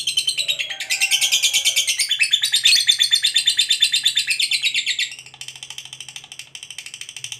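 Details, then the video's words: Lovebird in full 'ngekek panjang' chatter, a long trill meant to get other lovebirds singing. A loud, fast, grating rattle of high notes runs for five seconds, then drops to a quieter, thinner chatter. "SUARA BURUNG LOVEBIRD NGEKEK PANJANG TERAMPUH BUAT PANCINGAN LOVEBIRD AGAR CEPAT NGEKEK GACOR"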